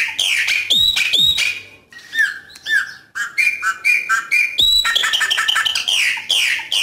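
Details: Chopi blackbird singing its coqui coqui style of song in nature: loud, varied phrases of clear whistled notes, some rising and some falling, mixed with sharp clicks and short chattering bursts, with brief pauses between runs.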